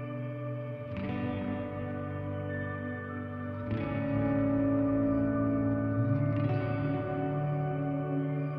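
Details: Reverberant ambient guitar music with three struck chords, each ringing out and sustaining, and no animal sounds.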